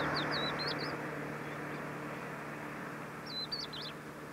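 A crested lark gives two quick phrases of high, liquid whistled notes about three seconds apart, over a steady low rumble of traffic.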